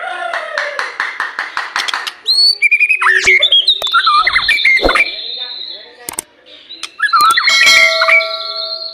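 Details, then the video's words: White-rumped shama song, used as a lure to prompt other shamas to sing in the morning and evening: a burst of fast, evenly repeated notes, then sweeping whistles, long high tones and varied phrases. "Pancingan murai batu untuk pagi dan sore hari"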